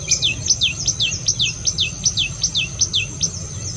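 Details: Outdoors in spring, a songbird gives a fast, regular series of high downslurred chirps, roughly two or three each second, with a constant low hum beneath.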